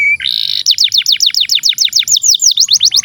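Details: Domestic canary in long continuous song for training young birds: a brief steady whistle, a buzzy rattle, then a rapid run of sharply falling whistled notes, roughly seven each second.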